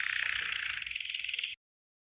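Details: Green canary training song, heard as a short, harsh, rapidly pulsed trill lasting about a second and a half, with faint low background hum.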